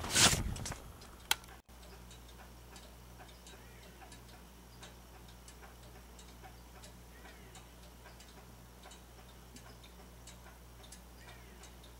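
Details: A brief loud bump at the start, then steady faint clicking ticks over a low electrical hum, with no animal calls.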